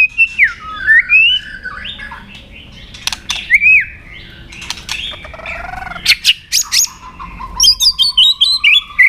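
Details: Training recording of a white-rumped shama's fighting song: a rich, varied run of slurred whistles, rising and falling, mixed with snappy clicks, ending in a rapid burst of high sharp notes over a steady low whistle.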